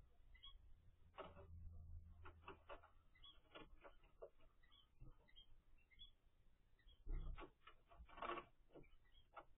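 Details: A nine-day-old zebra finch chick from a first clutch gives quick, raspy begging chirps in short clustered bursts, over a low background hum.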